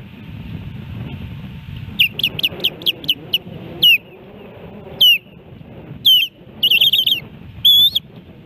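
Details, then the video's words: Osprey at its nest in Hellgate Canyon, Missoula, Montana, on 10 July 2018, bolting off the nest and alerting: sharp, high, downslurred whistles, first a rapid run of about seven, then louder single and doubled notes spaced a second apart. "Iris Bolts Off The Nest and Alerts!"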